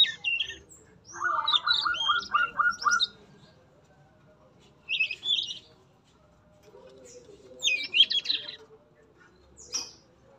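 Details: Captive male yellow-rumped flycatcher in a breeding cage: a rapid trill of repeated mid-pitched notes, then separate bursts of high chirping with quiet pauses between them.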